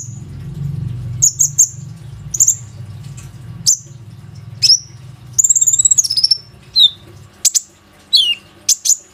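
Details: Plain-throated sunbird used to draw other sunbirds into singing, recorded on an Oppo A37f phone. Piercing high chirps, a brief fluttering trill midway and falling slurred whistles; low hum in the first half.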